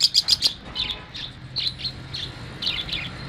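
Lovebird chatter: a run of sharp, high, shrill chirps in quick bursts, about three or four a second at first, then more scattered squeaks over a low hum.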